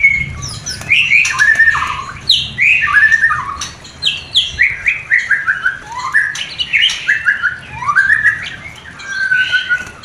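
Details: White-rumped shama in a breeding pair lure meant to raise the mating urge of a new pair; rich varied song of rapid whistled phrases, many notes slurring down, sung in quick bursts with short gaps.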